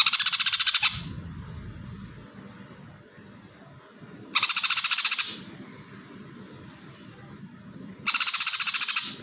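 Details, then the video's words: Greater green leafbird singing in fighting mode, full 'greja' style: three dense bursts of rapid, harsh chattering notes, each about a second long and spaced roughly four seconds apart, over a low background rumble. "CUCAK HIJAU FULL GREJA TARUNG!!"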